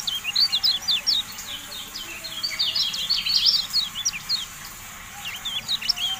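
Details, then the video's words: Javan white-eye in a cage-bird tutoring track, with sustained fast, high twittering that is dense and chattery, easing briefly before resuming. "MASTERAN TERBARU KECIAL KUNING"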